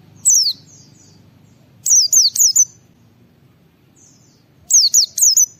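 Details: White-eye singing in ngalas style, used as a lure to make other white-eyes respond and sing; high descending whistled slurs come in one single note, then a quick run of four, then another burst of four after a pause, over low background rumble.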